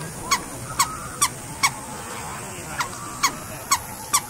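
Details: Scarlet ibis giving short, nasal honking notes, each brief and sharp, repeated roughly every half second in two bursts separated by a gap, over a steady background hiss.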